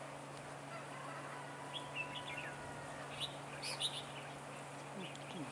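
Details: A decoy red-whiskered bulbul at a trapping site, 15 March 2018, gives a fighting song: short sharp chirps and rising whistled notes in small clusters, with people talking quietly in the background.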